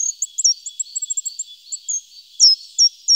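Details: Short-toed treecreeper: a run of rapid, high-pitched, thin chirps followed by a few louder, sharply inflected notes spaced about a third of a second apart.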